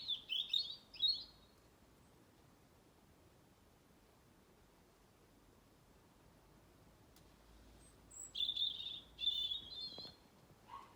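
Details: November birdsong from a tree beside a garden in Blackrock, Dublin: short high twittering phrases at the start, a long quiet gap, then further rapid trilled warbling bursts, with light background noise.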